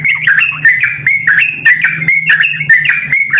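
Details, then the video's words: Sooty-headed bulbul call used as a lure to make other sooty-headed bulbuls respond: loud, fluttering whistled phrases dipping and rising, repeated about once a second, over a steady low electrical hum. "panggilan burung trucukan gacor ini dijamin trucukan lain langsung merespon"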